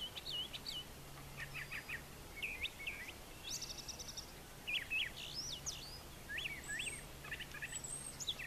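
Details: Brown thrasher male in morning song on a farm with brushy nesting habitat, repeating short chattering phrases in pairs, then switching to new whistled figures; a low steady hum runs through the background.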